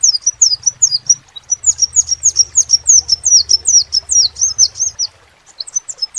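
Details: High, thin, quickly repeated chirps from a crimson sunbird, each note a flicking downward slur, in a sustained run of about five seconds before a short break, with low humming beneath.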